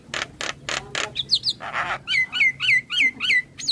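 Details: Morning Javan myna, used to coax young mynas into singing: four harsh, broad rasping bursts, a short buzz, then a run of clear whistled notes that swoop down, repeated about three times a second.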